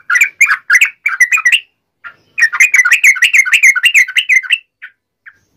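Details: Yellow-vented bulbul in a fierce, wild-style fighting song used to make other bulbuls answer at once: rapid bubbly chattering notes in two bursts, a short pause with a few scattered notes, then a long run of warbled phrases.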